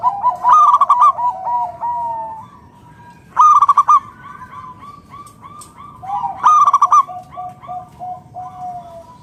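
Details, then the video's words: Local zebra dove (perkutut lokal alam) singing hard as a lure to get other doves calling: three loud bursts of rapid ringing coo notes, roughly every three seconds, with quieter answering coos and whistles around them. "PERKUTUT LOKAL GACOR SUARA PALING AMPUH UNTUK PANCINGAN BURUNG PERKUTUT AGAR NYAUT BUNYI GACOR"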